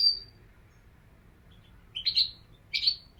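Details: Goldfinch giving a thin high note, then after a silence two short, bright, twittering chirp clusters close together, over a low steady hum.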